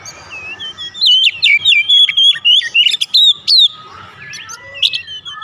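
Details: Lure song of an Oriental magpie-robin, aimed at provoking other magpie-robins to sing: a quiet start, then a loud, fast sequence of whistled and bending notes, followed by softer scattered phrases.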